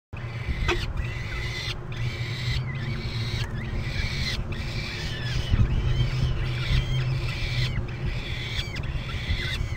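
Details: Falcon chicks at a nest cam in Topeka on May 17, 2012, around 17:11, begging while their mother feeds them in turn: repeated harsh, harmonic, arched cries about once a second over steady low rumble.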